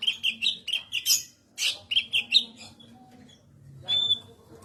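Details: Cucak kinoi, described as loud and melodious, singing a series of bright, high chirped notes in quick bursts, then a pause and a short sustained whistle near the end.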